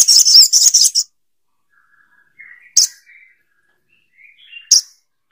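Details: Sogok ontong bird: a burst of loud, harsh, buzzy chatter. Soft, thin whistled notes follow, broken by two further abrupt rasping notes.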